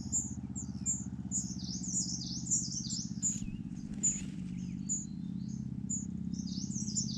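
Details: Yunnan, China, at a rufous-bellied niltava nest: a steady series of high, thin, slurred whistles and chirps, several each second at times, over a continuous low mechanical-sounding hum.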